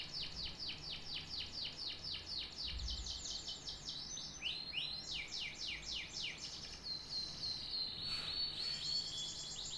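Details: A singing canary delivers a long series of high, quickly repeated down-slurred notes in shifting tours, closing on a held, buzzy, wavering trill.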